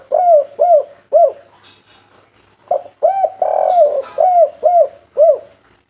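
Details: Spotted dove, described as a strong, lively caller of the 'kuk3' type, cooing in low, hollow, arched notes: a run of three, a pause, then a louder series of about six, each coo roughly half a second long.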